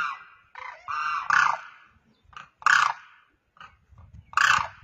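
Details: Demoiselle crane (Grus virgo), one bird on the ground calling to another in the air: harsh, rattling trumpeted calls, about three loud dry, croaking bursts with a rolling texture in five seconds.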